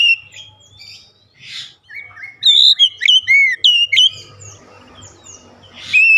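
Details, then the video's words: Oriental magpie-robin calling with a rhythmic song: after a quiet start, a burst of loud whistled notes, slurred upward and downward sweeps, follows around the middle, then softer scratchy chatter and a last whistle. "kicauan Kacer memanggil penuh irama"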